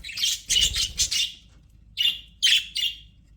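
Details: Budgerigars in an aviary, described as happy: three loud harsh chirps run together, then a pause, then three more sharp buzzy notes spaced about half a second apart.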